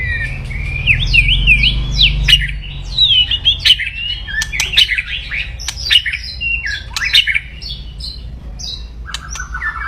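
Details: Loud, aggressive white-rumped shama song intended to lift a rival's fighting mood: rapid high whistles and slurred notes in a continuous tumbling flow, low hum early on, ending in a short rattle.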